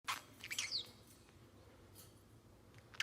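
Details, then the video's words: A 7-month-old male Pacific Parrotlet kept as a pet indoors gives a short burst of sharp, high chirps and squeaky notes near the start, then quiet with a faint click at the end. "Pico the Parrotlet talking and making cute sounds"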